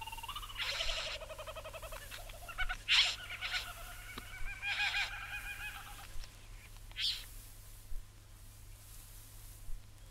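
Satin Bowerbird giving nasal, wheezy calls that rise slightly, mixed with harsh buzzing rasps, several over ten seconds, over a steady low hum.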